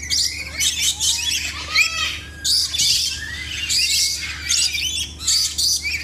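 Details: Lory from a bird collection calling loudly: harsh, broadband squawks in repeated bursts, interspersed with short whistled notes that rise and fall, over a steady low hum.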